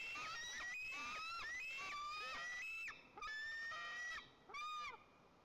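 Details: White-tailed eagles at a nest in Nizhnyaya Kama National Park, Tatarstan, Russia, 30 August, as the male brings a second fish for the eaglet; nest camera picks up strained, high drawn-out wailing calls, several in series.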